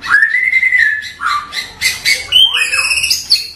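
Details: Song of a white-rumped shama, the local Bahorok type of Indonesia. An arching whistle rises and falls, followed by varied short notes, a looping slurred whistle and high, clipped phrases.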